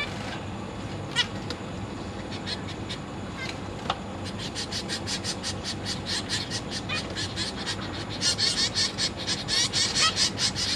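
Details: Caged zebra finch chicks, newly fledged, calling while their parents feed them: rapid, scratchy begging notes repeated about two or three per second, building in loudness toward the end, over a steady hum of background noise.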